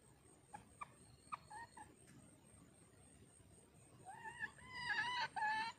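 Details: Calling red junglefowl hen used as a lure: scattered faint notes, then a loud burst of rapid, rising and falling harmonic calls near the end, over light insect sounds.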